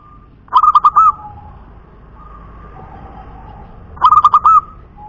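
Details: Perkutut punden, a local wild zebra dove, sings two fast stuttering phrases of four or five rolling coo notes about three seconds apart. A soft, level hum fills the pause between them.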